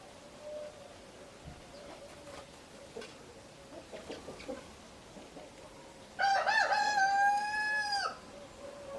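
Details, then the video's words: Rooster gives a loud, drawn-out crow of nearly two seconds, level and harmonic, after several seconds of faint clucking and distant farm sounds. "Chicken sounds, Roosters crowing sound effects"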